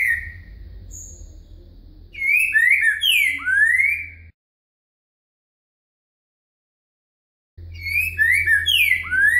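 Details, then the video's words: Green-winged saltator used as a song tutor in a song-training lesson, singing loud rich whistled phrases of slurred rising and falling notes, a short phrase then a full one, with a low hum beneath and a silent gap mid-clip. "Aulas de canto Trinca Ferro Boca Mole com Virada"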